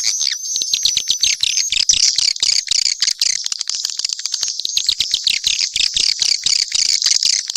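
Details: Dense swiftlet chatter from a mixed set of calls: fast clicking chirps and high twitters, with a thin whistled tone near the start.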